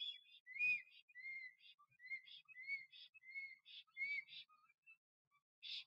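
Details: A male black stork courting at its nest in Puszcza Notecka, Poland, on 12 April 2023, with no female arriving, sings a run of clear, high, slurred whistled notes, about one and a half per second, mixed with brief rasping bursts.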